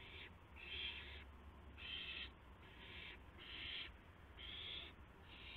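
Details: Owl during a gopher delivery at 12:25 AM, April 7, 2016: repeated breathy, harsh screeches about half a second to a second long, fairly quiet, with a low background hum.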